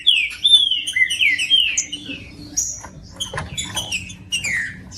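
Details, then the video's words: Green-winged saltator song meant to stimulate a cold bird: a fast run of downward-slurred whistles at the start, then scattered sharp chirps and clicks over a faint low hum. "MELHOR VÍDEO PARA ESQUENTAR TRINCA FERRO COM TRINCA FERRO CANTANDO"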